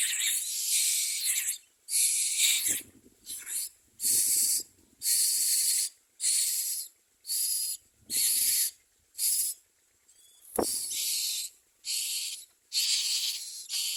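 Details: Nestling common mynas keep up harsh, hissy begging bursts about one second long, repeated steadily with short gaps across fourteen seconds, plus a faint thump near the middle.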